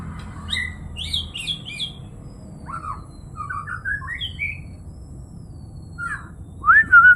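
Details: White-rumped shama giving scattered, varied whistled notes and short slurred phrases with gaps between them, some clipped and chirpy, others falling. A louder, sweeping whistle closes the sequence over a low background hum.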